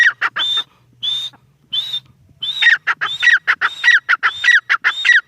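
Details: Female grey francolin (teetar) calling: a few separate harsh, clipped notes, then a fast rhythmic series of loud, strident phrases, each a high whistled note followed by grating lower notes, repeated about every half second.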